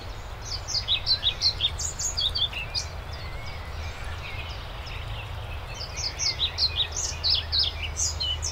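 A European pied flycatcher gives two brief, rhythmic phrases of high, sweet chipping notes a few seconds apart, over a steady low rumble.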